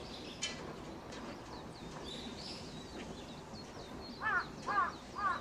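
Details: Australian magpie from a family raising its chicks: three strong, arched calls close together at the end, after a stretch of busy, twittering chirps from other birds.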